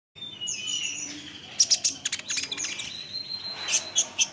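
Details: Olive-backed sunbird isian song meant to provoke other sunbirds to answer: high thin whistled notes and slurred trills, then sharp bright chips in bursts, with a faint rustle underneath.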